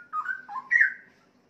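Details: Adult male Straw-headed Bulbul kept as a caged breeding bird, around 3.5 years old; a short bubbling whistled phrase of slurred notes, dipping then leaping up to a loud clear peak before fading.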